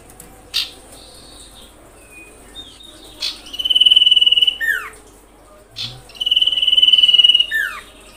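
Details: Common iora lure call to provoke other ioras: scattered thin chips and short notes, then two phrases of steady pulsed high trill ending in a downward-swooping whistle.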